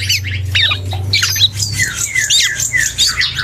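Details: Black-and-yellow oriole, young and learning to sing, giving scratchy chatter followed by a series of thin sliding whistles and squeaks, with a low hum fading partway through.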